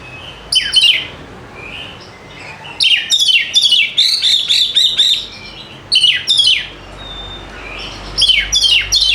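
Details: Kacer (Oriental magpie-robin) singing gacor as a lure for reluctant singers: sharp down-swept notes, then a long run of rapid, even whistled notes, followed by more scratchy bursts after a pause.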